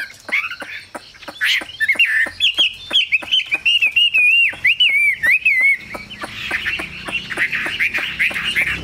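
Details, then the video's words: Chinese hwamei pouring out a varied melody: scattered clicks, then a long wavering whistled run that rises and dips, closing with a rapid chattering warble. "Họa mi siêu phẩm, người dai miên man"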